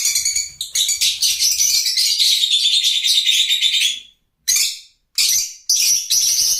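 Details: A four-second stretch of busy, shrill lovebird chatter, followed by three clipped squawking bursts separated by silences.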